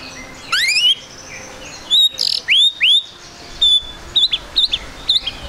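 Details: A spotted 'trotol' white-rumped shama sings as a lure to make other birds start quickly. High, sharply upswept whistles come in separate bursts, with short clipped chips between them and pauses of silence.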